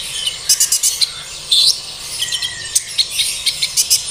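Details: Sunbird, locally called ninja hummingbird, singing to provoke captive birds into song: quick bursts of thin, high chirps and trills, some rapid clusters of sharp ticks, over a steady hiss.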